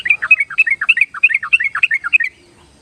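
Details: Yellow-vented bulbul song used as a basic lure to coax timid or wild birds into singing: a quick, bubbly run of warbled, slurred notes bouncing up and down, about two seconds long, then quiet.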